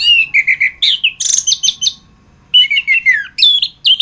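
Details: Orange-headed thrush (anis kembang) singing a masteran tutor song: rapid warbled whistles and trills, a brief silent gap, then falling slurred whistles and sharp high notes.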